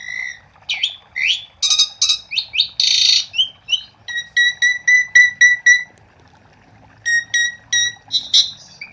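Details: Asian pied starling in lively song, used as a lure for starlings not yet singing: rising slurs and a harsh broad burst, then a long even series of clear repeated notes about four per second.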